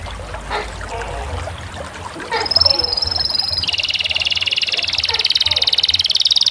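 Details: Canary song that opens quietly with soft scattered notes, then breaks into a loud high warbled trill and a long, fast, steady pulsed roll lasting several seconds.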